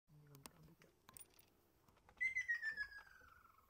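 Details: A single Ryukyu Ruddy Kingfisher call on Ishigaki Island: a loud, fluttering trill sliding steadily down in pitch over about a second and a half, after a few faint clicks and a low murmur.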